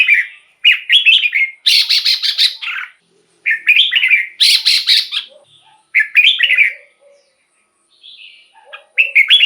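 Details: Song of a caged Red-whiskered Bulbul meant to stir other bulbuls into singing. Bursts of chirpy, whistled phrases alternate with gritty buzzy rattles in a stop-start pattern, with silent gaps and a few soft low notes between.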